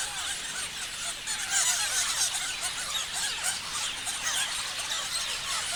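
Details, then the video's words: Flock of parrots giving constant shrill squealing chirps, many birds calling over one another in an unbroken, fast chatter. "Parrots chirping sounds"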